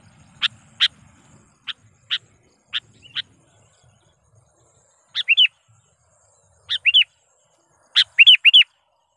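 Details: Sooty-headed bulbul lure call used to challenge wild birds: sharp single clicks in pairs, then short bubbly two- and three-note phrases with longer gaps between them, a faint low rumble early on.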